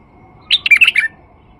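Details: White-eared bulbul, a male used as a lure to draw in other bulbuls, sings one short phrase of rich, warbled, bubbling notes lasting about half a second against a quiet background.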